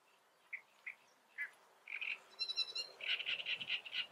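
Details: Great reed warbler song, faint: a few spaced, harsh, croaking notes over the first two seconds, then a denser grating run of rapidly repeated chattering syllables to the end. The background is otherwise quiet.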